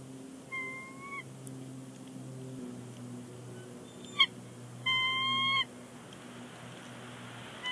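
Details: On the Big Bear Lake nest, January 30, 2020, a bald eagle pair chatters before leaving; two evenly held whistled notes several seconds apart, the second louder, over a faint steady low hum and a sharp tap.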